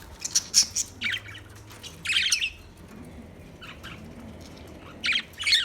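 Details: Budgie making scattered bright chirps and rasping squawks in short bursts, with quiet gaps between them.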